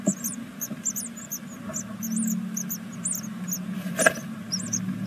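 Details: Inside a nest box in Veszprém, Hungary, great tit chicks on day six of the second brood give bursts of high, thin, down-curved peeps. A brief loud scrape sounds near the end, all over a steady low hum.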